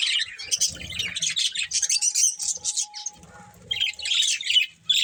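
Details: Group of budgies giving bursts of bright twittering chirps broken by a quieter pause around three seconds, with soft low rustling sounds underneath.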